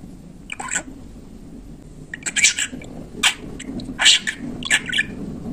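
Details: Pet budgerigar mimicking speech indoors: a string of short, harsh, word-like bursts about once a second, scratchy and squeaky, against quiet room background.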